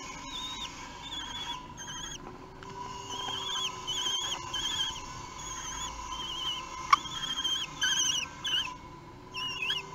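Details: At a nest in Théding, France, on 8 June 2021, three-week-old common kestrel chicks being fed give insistent high, wavering whines in drawn-out phrases, some overlapping, with a sharp click midway and steady electrical hum beneath.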